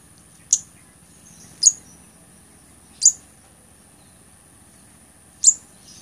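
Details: Blood-breasted flowerpecker (Dicaeum sanguinolentum) song: four very high, thin, sharp tsit notes spaced one to two seconds apart, over a steady high background hiss.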